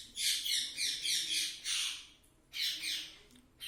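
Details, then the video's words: Pet green ring-necked parrot that talks, here giving a run of harsh, noisy, high screeches in quick bursts, two clusters separated by a brief pause. "talking parrot mummy papa"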